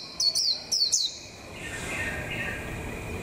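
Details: ['Caged decoy white-eye, warming up for the 2021 season. It gives two quick pairs of high, thin, downslurred whistled notes in the first second, then quiet with a steady background hum.']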